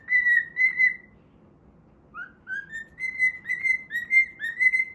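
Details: Pet cockatiel singing while it plays, a tune after the Pitagora Switch opening theme: clear whistled notes, a long held pair, a pause, then a run of short rising-and-level whistles in steady succession.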